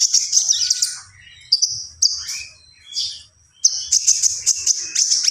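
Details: Common iora singing vigorously: high, sustained buzzy trills broken by sharp chirps and short slurred whistles, with brief gaps between phrases.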